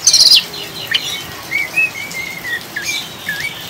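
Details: Oriental magpie-robin singing ngriwik style with rain, used as a lure to steady birds; a high buzzy burst opens, then soft slurred whistles rising and dipping, spaced about half a second apart, over rain noise.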